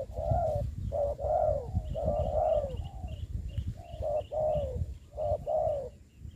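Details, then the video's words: Decoy spotted dove for ground trapping in Dong Nai, Vietnam, in the Covid-19 season, cooing in rhythmic phrases of short and longer hoarse notes with brief gaps, while faint high chirps from other birds and low rumble sound behind. "bẫy cu gáy cùi bắp clip17(bẫy cu gáy mồi đất ) đánh cu gáy"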